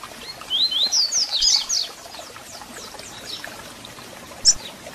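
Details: Double-collared seedeater singing, a recording for firing up and warming a captive bird: a fast, bright phrase of rising and falling whistled notes lasting about a second, then softer high notes and one isolated sharp chirp, over faint hiss.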